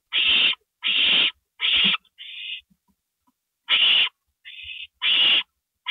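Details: Owl at its nest at 2:05 AM on April 27, 2012, as prey, a gopher, arrives: loud, broad hissing screeches mixed with two quieter, narrower, smoother notes, in uneven rhythm.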